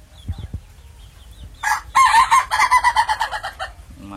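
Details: Ayam ketawa rooster from Meulaboh, a breed from Sidrap, South Sulawesi, known for a crow that resembles human laughter. A loud crow of about ten evenly pulsed, harmonic 'ha-ha' syllables fades out over two seconds, preceded by soft knocks.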